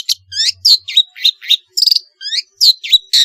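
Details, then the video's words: Long-tailed shrike's varied, lively song, used as a lure to stimulate silent shrikes: quick high squeaky slurred notes, some swooping downward, with a brief rapid stutter, about four notes per second. "suara burung pentet gacor isian variasi bisa untuk pancingan cendet malas bunyi"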